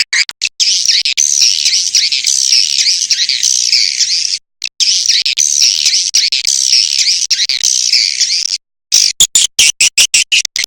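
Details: Swiftlet lure call played at dusk: dense, buzzy chattering trills repeated in long bursts with brief gaps, ending in rapid clipped pulses.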